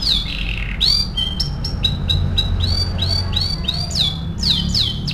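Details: Canary song used as a lure to stimulate other canaries to sing: a continuous string of bright, high, sweeping whistled notes, many repeated in quick succession, with a steady low hum underneath.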